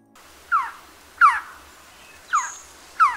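Malabar trogon giving four short, descending, slightly squealing notes at irregular intervals of about a second, over quiet background hum.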